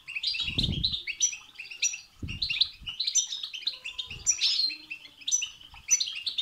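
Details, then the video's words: Goldfinch singing batbata and setsata phrases meant to excite another goldfinch to sing. Fast, liquid twittering runs with sharp high notes recur about every second, and brief low knocking sounds come at intervals. "بتبتة وستستة تخرج الحسون عن السيطره..... هيجان خرااافي تسببه هذه البتبتة نار على نار سيغرد حسونك"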